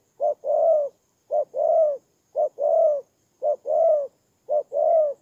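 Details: Spotted dove serving as a ground decoy in Tumorong, Kon Tum province, Vietnam, on 23 September 2018, repeating a regular short-long coo five times, about once a second, with no other sounds.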